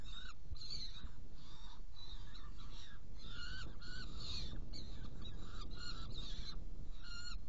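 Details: Saker falcon with two young being fed after prey delivery, Hungary, 16 June 2018: irregular harsh screeches and wavering grating notes, some overlapping, above a persistent low rumbling background.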